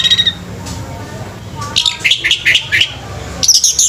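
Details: At a bird song contest, an orange-headed thrush sings after a quiet start. A burst of fast, high, twittering notes rises and falls, then ends in a sharper chirping flourish, with faint background noise.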